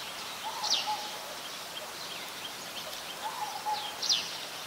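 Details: Ashy woodswallow (Artamus fuscus), a very common resident, recorded on 17 December 2019 in Ubon Ratchathani, Thailand; two short high descending notes about three seconds apart, each with a softer lower note, over steady background hiss.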